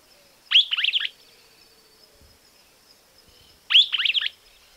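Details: A Streaked Flycatcher in Argentina gives two loud, squeaky, slurred phrases about three seconds apart, each a half-second burst of high chattering notes. Faint background hiss.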